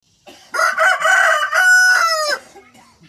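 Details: A single full rooster crow of nearly two seconds, choppy and raspy at first, then a long steady held note that falls away at the close, over a quiet background.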